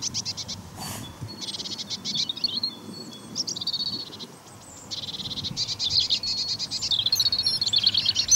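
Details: Common kingfisher on the Donge giving shrill, high whistled calls in quick bursts, with thin piercing notes and a faint low outdoor rumble underneath.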